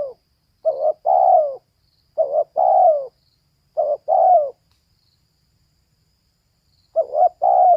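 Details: Female spotted dove calling: three cooing phrases about every one and a half seconds, each a clipped double note then a longer descending coo, followed by a silent gap and a fourth phrase.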